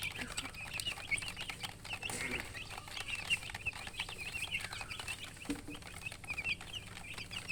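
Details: Many baby chicks keep up continuous shrill peeping, short bright notes overlapping, with a low cluck-like sound and light background rustle.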